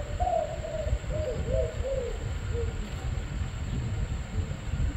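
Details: Spotted dove delivering one clear phrase of several hollow coo notes that drop in pitch and fade, followed by only low rumbling background.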